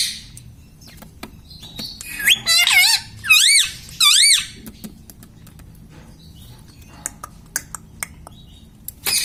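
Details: Talking pet parrot mimicking words: three loud, harmonic, rising-and-falling syllables in quick succession after quiet ticking and clicking sounds in a small room.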